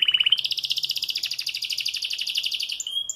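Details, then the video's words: Moulting canary that still sings the whole day, delivering one rapid, even trill of high chirping pulses, about four per second in the loudness, after a brief clear whistled opening note. "Mesmo trocando pena, canta muito"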